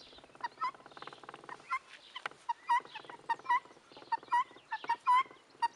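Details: Young helmeted guineafowl calling: short, harsh, mid-pitched notes, often with an upturned ending, given irregularly about once a second. Raspy buzzing trills and faint higher chirps sound in the background.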